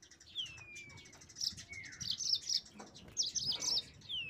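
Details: Song of a yellow-fronted canary used to goad rival birds: clusters of quick, high chirped notes after two thin whistles that slide downward.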